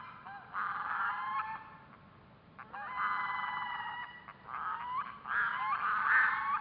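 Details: Red-throated loon (Gavia stellata), call.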